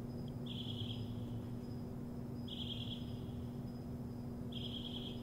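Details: Morning birdsong with three brief, rapid, high trills spaced roughly two seconds apart, set against a constant low droning hum and a thin steady whine above.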